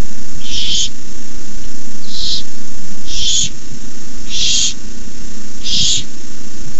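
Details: Barn owl nestlings at night, 9:57pm, 18 May 2015, hissing as an adult arrives with a rabbit: five harsh, airy bursts roughly once a second, background low-pitched hum.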